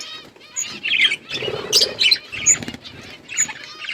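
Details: Budgerigar flock in an outdoor aviary giving bursts of warbling chirps and high squeaks, with a brief flurry of fluttering, wing-like noise midway.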